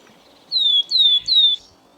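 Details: Willow Tit from the Nordic region, a bird of old, wild forests that has fallen from common to endangered in Finland through logging, gives three clear, high whistled notes, each sliding slightly downward, in quick succession over about a second.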